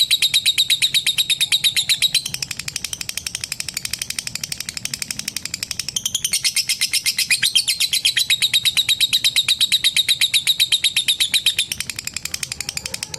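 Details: Long lovebird trill, called to a rival and said to make other lovebirds join in: a continuous, very fast chattering of high, sharp notes in two loud stretches separated by a softer passage.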